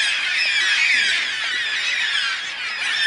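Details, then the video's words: An unusually large flock of yellow-tailed black cockatoos flying over a backyard, their harsh, grating squawks overlapping into a continuous high chatter with no pauses. "Black Cockatoos being loud and proud"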